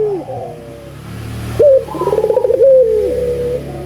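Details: Persistent song of an albino collared dove, intended to stimulate other doves to call: after quiet murmuring, a sharp upward note, a fast pulsed trill, then a level coo sliding down, with low hum beneath.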